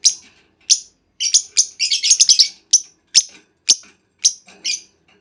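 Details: Female lovebird calling to lure other lovebirds into long trilling; rapid, harsh, high-pitched chirps bunched into a quick chattering run midway, then spaced single squeaky notes.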